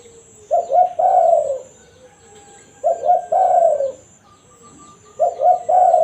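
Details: Natural 'kuk satu' coo of a spotted dove, a lure call for wild doves: three even phrases, each a short double coo followed by a drawn-out descending note, repeating roughly every two and a half seconds.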